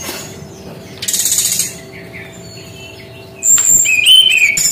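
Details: Brown-chested jungle flycatcher song: a harsh buzzy burst, faint quiet whistles, then a loud sharp high note followed by wavering slurred whistles.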